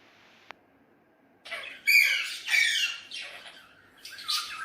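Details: Hand-tame pet Alexandrine parakeet playing with a mirror indoors, giving loud harsh squawks that start after a second of quiet, three rough bursts in quick succession with a brief tail at the end.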